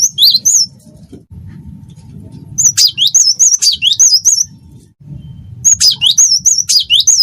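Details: Cinereous tit singing the wingko style, a busy bird; bright whistled notes that swoop down and up in quick two-part phrases, delivered in two bursts separated by a pause, with a low steady rumble underneath.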